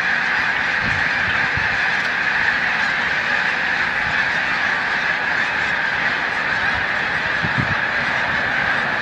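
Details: Dense chorus from a great migrating flock of snow geese at Montezuma, New York, on 7 March 2022, with migration nearing peak; massed nasal honking forms a continuous wall of sound, a few deeper thumps in the background.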